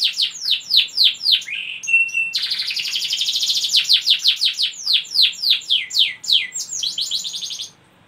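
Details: Canary in full song to provoke other canaries to sing: rapid series of sharp descending whistled sweeps, a dense rolling trill, then more quick downslurred notes in fast rhythm.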